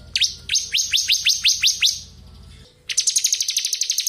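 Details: Bar-winged prinia, the crystal ciblek, singing hard in ngebren style as tutoring material: a series of eight loud steeply falling whistles about four per second, a pause, then a fast high rattling trill.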